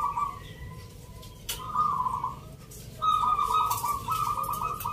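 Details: Local zebra doves at a Nglagu Ngepat Mentaraman rhythm-song contest in Yogyakarta, Sunday 19 November: rolling, trilled coo phrases, mid-pitched and steady, broken by a short pause, then a louder burst of rapid pulsed coos, with a hum of crowd noise.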